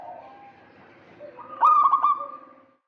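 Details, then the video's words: Local zebra dove calling in the gacor kerot style to lure a rival: a faint low tone, then one loud stuttering, rolling coo phrase with quick trilled notes, fading after about a second. "Perkutut lokal GACOR KEROT MANCING LAWAN"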